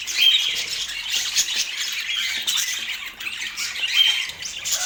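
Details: Portland pet budgie warbling in rapid, rasping chirps mixed with brief clear whistles, a steady stream that dips briefly near the end before resuming.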